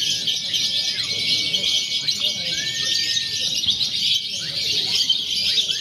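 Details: Lovebirds in a contest simulation meant to train birds before competitions, mixing konslet, fighter and paud styles; a dense, continuous, high-pitched chattering trill runs throughout, with occasional short downward-sliding chirps above a faint low rumble.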